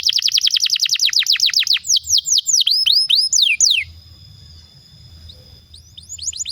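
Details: A Belgian canary sings a fast rolling trill of about a dozen rapid downslurred notes, then a few looping whistled phrases, ending in a quiet pause with faint hum.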